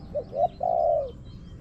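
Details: Spotted dove, wild, responding to a decoy in a garden. A single close phrase: two short soft coos rising slightly, then a long, rolling coo that slides downward.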